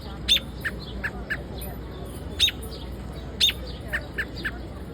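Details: Birds in Central Park giving short, high, single chirps spaced about a second apart, some sharper and louder than others, over a constant low rumble of city background noise.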